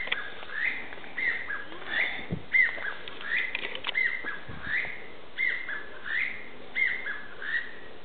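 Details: Chinese bamboo partridge calling suddenly at fairly close range in the woodland of the ecology garden in Aoba-no-Mori Park; loud, clear whistled notes with rising hooks, repeated in a steady series roughly every 0.7 seconds, over faint background rustle.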